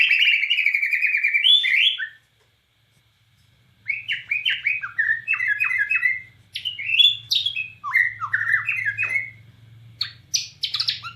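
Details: Energetic Bornean white-rumped shama song with rapid bursts imitating the cililin. A buzzy trilled phrase comes first, then after a short silence a dense series of rising slurred whistles and sharp high notes, with a low hum underneath.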